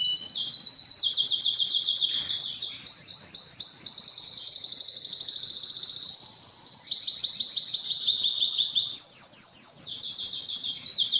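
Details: Canary, Belgian or Spanish timbrado, singing a training song: long sustained high trills of rapidly repeated notes, shifting pitch level several times over steady, unbroken delivery.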